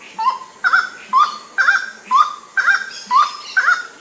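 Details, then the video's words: Grey-cowled wood rail calling at night under the moon: loud, nasal, honking notes given in rhythmic pairs, each rising then levelling off, repeated roughly every half second in a steady series, with a faint low hum beneath. "Aramides cajaneus sounds"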